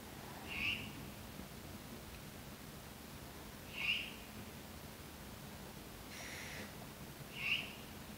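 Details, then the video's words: Three great horned owlets beg for food at 12:30 a.m. in Duluth, Minnesota, recorded from a window: short, raspy hissing screeches about every three seconds, with a steady low hum and one brief rushing noise. "Owls Begging"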